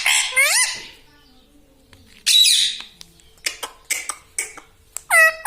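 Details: Pet talking parrot in a home setting, giving a harsh swooping phrase, a pause, then a rough burst and several short clipped notes, ending with a bright harmonic upward-curving call.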